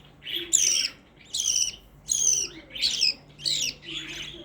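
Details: A household black-face budgerigar repeats a harsh, squawky chirp five times, roughly every 0.8 seconds, each note bright and slightly descending, with low steady hum underneath.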